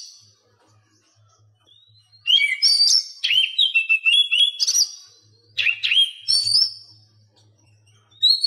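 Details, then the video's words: Oriental magpie-robin song, a training recording for captive birds that are silent or reluctant to sing. After two quiet seconds come bursts of varied high whistles, chirps and slurred notes that break off and resume, over a faint low hum. "Masteran Kacer Bisu"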